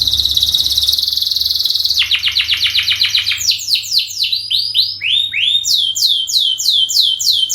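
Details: Canary in long lure song: a sustained high buzzy trill, a rapid rattling series, then loud looping down-slurred whistles repeated several times a second.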